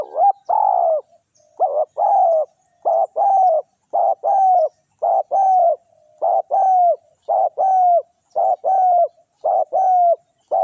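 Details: Decoy spotted dove (tekukur) calling to lure wild forest doves: a rapid series of mellow coos in short and long units, repeated about once a second, loud and clear against near silence.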